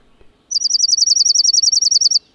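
Dark-eyed Junco song: a high, even trill of about sixteen bell-like notes at roughly ten per second, lasting under two seconds, with no other sounds.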